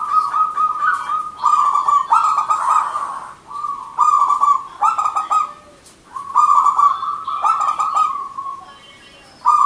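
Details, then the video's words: Loud, nearly continuous zebra dove song from a local bird kept for luring: chains of fast, rattling coo bursts running into held notes, with only short gaps over about ten seconds. "Perkutut Manggung Gacor Gayer 100% lokal alam pikat merbok Turtledoves Zebradove"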